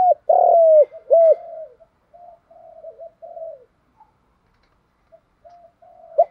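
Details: Spotted dove coo used to train young captive doves: an opening hooked note, a loud long falling coo and another hooked note, followed by soft trailing murmurs and near silence.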